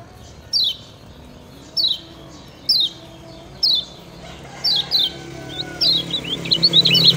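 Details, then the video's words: Lemon-bellied white-eye used as a master song for training other birds: sharp downslurred high chirps about once a second, then a rising cluster of quick twittering notes toward the end, over faint low hum. "Ciak Ciak Ngejoss Kecial Kuning Ampuh Jadi Masteran"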